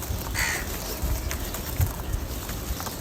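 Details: Crows gathered in large numbers, calling for food: a harsh, buzzy caw near the half-second mark, then fainter distant caws over steady outdoor background noise.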